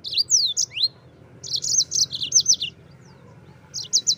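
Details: Yellow-fronted canary tutor song for white-eyes: sweeping upslurred whistles, then a string of quick bright chirps, ending after a pause with three sharp notes.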